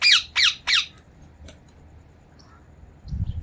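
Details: Three loud, harsh squawks from a ringneck parrot, spaced about a third of a second apart, each dropping in pitch, then near silence with a faint tick and a low thump at the end.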